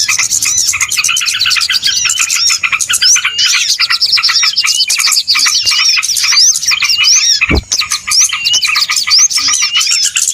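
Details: Lure recording for trapping small birds: nonstop overlapping chirps, trills and rising whistles from many birds, with a single dull thump midway.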